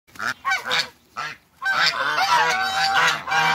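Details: Three African geese on a farm give loud nasal honks in bursts, some separated by short pauses, then a long run of overlapping harsh honking.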